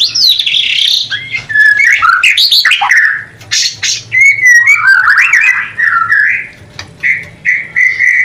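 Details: White-rumped shama, a newly paired bird not yet breeding, singing its mating song used to stir breeding desire: loud, varied whistled phrases, sliding notes and sharp rising and falling sweeps, broken by short pauses.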